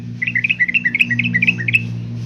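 Yellow-vented bulbul song: a quick bubbling run of about fifteen short, liquid chirps at mid-high pitch, rising and falling, over a steady low hum.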